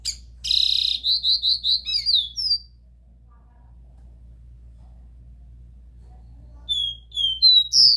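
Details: Copper seedeater singing the pure 'Dó Ré Mi' song, played to stimulate a captive bird: a harsh buzzy note opens a fast run of repeated whistled notes, then a pause and a second phrase of slurred, partly rising whistles.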